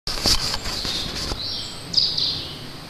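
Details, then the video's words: A small bird singing across from a house gives a thin, high, trilling phrase followed by a brief piercing whistle, over steady background hiss and a few sharp clicks. "UNKNOWN BIRD-TO ME-SINGING"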